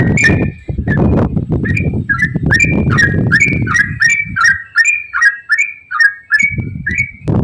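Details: Fast ropel-style singing of a yellow-vented bulbul, a lure to set other bulbuls singing: a string of sharp whistled notes rising in pitch, steady and quick, starting over loud rumbling background noise that clears midway.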